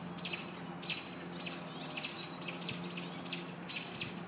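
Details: American robins mobbing a hawk near their nest: sharp, thin high chirps repeating roughly every half second, steady and insistent, with a faint low hum underneath.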